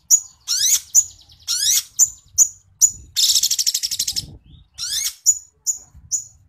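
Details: Long-tailed shrike giving loud chirps and downward-sweeping squeaky notes, a long rapid buzzy rattle midway, then more evenly spaced sharp chips.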